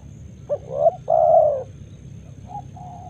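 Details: Spotted dove, morning in Karawang rice fields, delivering a short upslurred note and a sustained burry coo, with a weaker distant dove cooing afterwards and a soft low rumble beneath.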